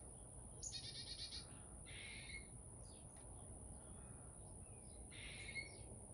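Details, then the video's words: A backyard chickadee gives three bursts of harsh, buzzy dee notes, the first a quick rattling run, over a steady low rumble and a thin high whine. "My Little Chickadee"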